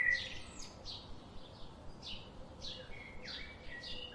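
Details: Quiet birds giving short, downward-sliding chirps about every half second, with a few thin whistles, against a soft hiss.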